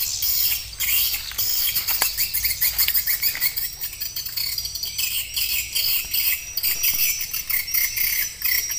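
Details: Swiftlet calls in a 2021 lure mix with added 'inap' and 'tarik' sounds, meant to make passing swiftlets stop, enter the nesting house and stay overnight. Busy high chirping runs throughout, with short thin whistled notes repeating in the second half.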